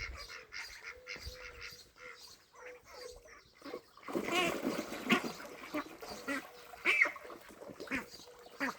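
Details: Ducks at a pond in Wales with ducklings, recorded 23/5/26: a run of short nasal quacks repeated roughly every half second for four seconds, then broad splashing and rustling noise with scattered fainter calls.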